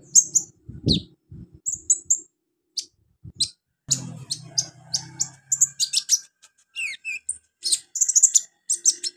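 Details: Olive-backed sunbird training recording for young birds, with bursts of high, thin twittering chirps and brief downward whistles in quick clusters. Separate low thumping knocks sound near the start and mid-way.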